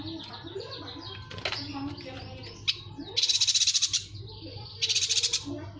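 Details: Yuhina recorded as a masteran tutor recording for songbirds: two bursts of dense, buzzy, rapidly pulsed rattling notes, each lasting under a second, preceded by scattered softer chirps and a low background hum.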